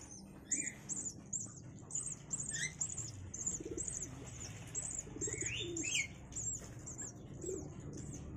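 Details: Javan myna chicks, five days old, in a cage being fed grasshoppers and caterpillars by both parents, which fly free; a faint series of short high chirps repeats about three times a second, with a few lower notes and a man talking quietly.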